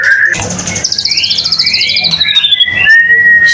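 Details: ['White-rumped shama in full song, played to prompt other shamas to sing: loud, varied whistled phrases with long descending and rising slides and rapid buzzy trills, delivered continuously.']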